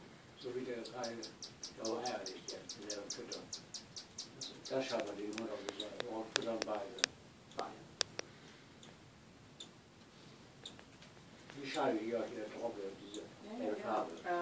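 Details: Cockatiel chicks, one about one week old and its sibling hatched a day later, give rapid, raspy, pulsing begging calls in quick repeated bursts while being fed.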